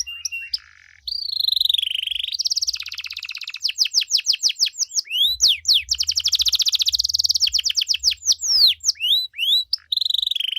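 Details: Loud canary song in the 'cengkok mewah' style, used to get other canaries to respond; fast rolling trills, bursts of sweeping rising and falling notes, and a steady rapid high warble fill the recording, with a faint low hum underneath.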